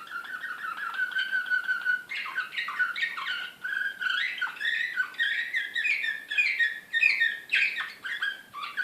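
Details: Serbian Slavujar canary from Belgrade, 2016, described as excited, singing a continuous run of rapid rolling trills and chirped phrases that jump between mid and high pitches, with a steady low tour held near the start.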